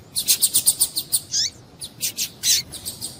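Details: Female double-collared seedeater calling to stimulate males into singing: a fast run of high, bright chirps, about ten in the first second and a half, then a short downslurred note and a few scattered sharp chips.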